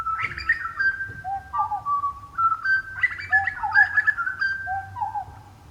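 Grey Butcherbird song: rich, hollow, echoing whistles mixed with quick chortling notes, some sliding down then rising again in a valley-like shape.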